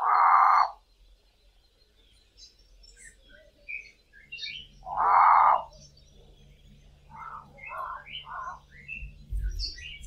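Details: Cape crows, two birds calling from treetops at dawn in South Africa: loud hoarse caws repeated about every five seconds, then a run of three softer croaks, with small birds chirping and whistling in the dawn chorus behind.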